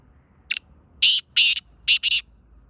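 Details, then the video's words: A Black francolin (Kala teetar) gives a harsh, grating phrase: a short rasp, two longer scraping notes and a quick closing pair, all high and loud over a quiet background. "Black Francolin Kala Teetar ki awaz Teetar Sound Kalay Titer Ki Awaz"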